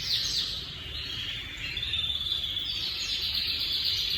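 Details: Timbrado canary song from 25/8/25: dense, unbroken high trilling that swells slightly halfway through, over faint low-pitched background hum.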